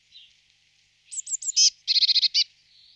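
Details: Eurasian blue tit: a few faint high notes, then three sharp descending whistles followed by a rapid buzzy trill of about seven harmonic notes, ending with a soft high hiss.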